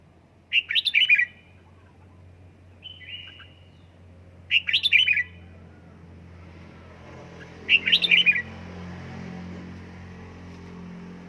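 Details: Home-kept red-whiskered bulbul from Gia Lai in song training, repeating a loud, rapid warbled phrase of about five notes roughly every four seconds, with one softer whistled phrase between, against a quiet low hum.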